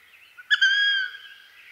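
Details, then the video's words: Wood duck, also called Carolina duck, a perching duck of eastern North America: one drawn-out rising squealing whistle, rich in harmonics, preceded by a short faint note, then fading into soft background hiss. "Wood Duck Sound"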